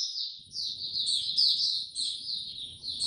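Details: Oriental white-eye song dated 02052022: a continuous, high, wavering warble of slurred chirps with a steady faint whine and low rumbling noise behind it.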